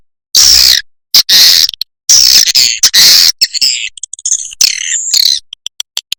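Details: Swiftlet lure calls played to attract swiftlets: harsh, buzzy, high-pitched chirping bursts, some long and some short, arriving in irregular clusters. Shorter, clicky twitters follow near the end.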